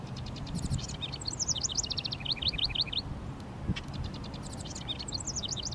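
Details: House wren singing to mark its territory near a fence with honeysuckle and bushes on a sunny Mother's Day; a cascade of fast chattering, descending trilled notes, repeated in a second burst, with low background rumble.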